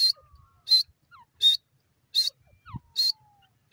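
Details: Grey francolin pair (dakhni teetar) voices: loud, high, harsh notes repeated about every 0.7 seconds, with faint thin whistled slides between them.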